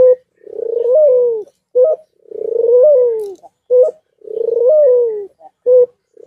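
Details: White dove in courtship, nodding and cooing while in heat: three long rolling coos with a slight mid-note lift, each followed by a short clipped coo, repeated about every two seconds in a quiet indoor space.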